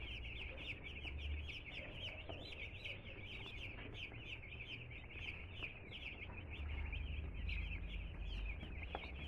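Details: A brood of two-day-old chicken chicks just arrived at a home, giving rapid, continuous high peeps, many birds calling at once about four notes a second, over a steady low hum.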